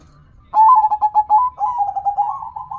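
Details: Perkutut, a zebra dove, starts after a moment of quiet: stuttering soft coos that run into a smoother, slightly rising purring trill toward the end, with faint low background hum.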